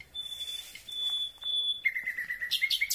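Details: Night-singing Common Nightingale recorded very close: long, pure, level whistled notes held on one pitch, then a lower, rapidly pulsing trill that breaks into a harsh, bright burst.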